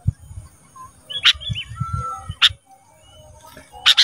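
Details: Harsh, buzzy bursts from a caged ruby-throated bulbul, repeated roughly every one to two seconds between soft whistles, meant as training sound for cage birds. Low thumps underneath.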